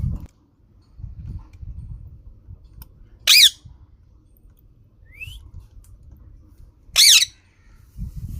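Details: Green parrot giving two loud, harsh squawks about four seconds apart, each a brief burst with stacked bands, plus a faint rising squeak between them over low background rumble.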